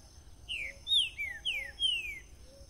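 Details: Bitola-style song of a green-winged saltator: a series of loud, ringing whistles, each slurring steeply downward, delivered in a rapid phrase of about five notes over a steady background hum with faint soft low notes.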